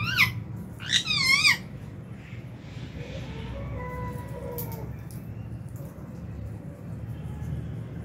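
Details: Meal time in a lovebird aviary, January 2023; a quick run of loud, wavering, rippling squawks in the first second and a half, then quieter steady tonal sounds and low hum.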